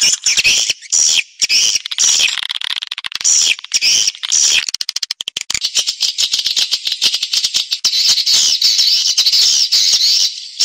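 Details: Swiftlet attraction sound for luring birds into a private nesting house to raise nest numbers: high rasping twitters alternating with bursts of sharp rapid clicks, loud and nearly continuous.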